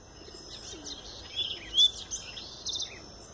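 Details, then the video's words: A Double-collared Seedeater, coming out of moult, gives a few faint, quick high whistled notes and chirps, a brief slurred note standing out, over a steady high insect-like hiss. "Papa-capim Tui Tui puro"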